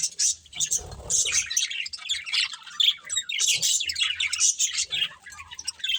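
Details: Colourful budgerigars chirp while eating, sharp high tweets and short squawks in quick bursts, with low rustling and knocking at the start.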